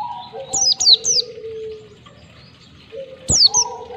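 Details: Oriental white-eye master song in the ngalas style of one to two beats, a training recording to get caged birds singing: three quick sharp high notes sliding downward, then a pause and a pair more, over low steady whistled tones.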